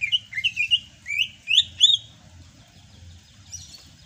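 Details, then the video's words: Sumatran greater green leafbird singing during the rainy season: a run of bright, rising whistled slurs, about seven quick notes in under two seconds, then quiet with faint low background rumble. "MUSIM HUJAN CUCAK HIJAU SUMATRA MASIH BISA GACOR"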